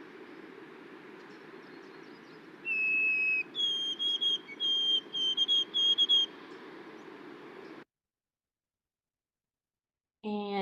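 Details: White-throated Sparrow song heard as 'oh sweet Canada Canada Canada', over a hissy background: a sustained lower whistle rising to bright, higher notes repeated in quick groups. Silence follows, then a brief unrelated harmonic sound near the end.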